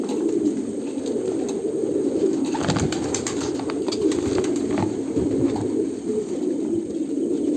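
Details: A flock of Kolkata pigeons keeps up an unbroken low cooing drone, with bursts of clattering clicks, likely wing flaps, around the middle.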